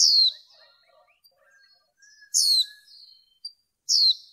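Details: Female white-eye kept for bird training, calling to stimulate males: three loud, high, sharply descending squeaky notes, the first at the start and the others about 2.4 and 3.9 seconds in, with faint soft chirps between.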